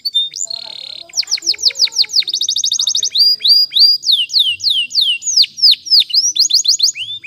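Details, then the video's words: Canary song for training, loud and clear: short buzzy note, then series of repeated downward-curving whistles and a fast trill, phrases changing every second or so. "Canary's Most Powerful Song For Training"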